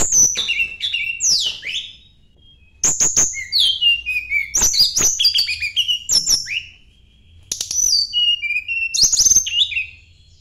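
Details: Tledekan gunung, the Sunda blue robin, sings to seek a rival, pouring out repeated bursts of high sliding whistles, downward-swept notes and sharp ticks, with brief pauses between phrases.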